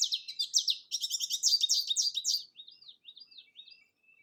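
An American Goldfinch sings a rapid, jumbled run of high twittering and sweet notes, then a few rising and falling whistled phrases as the song trails off.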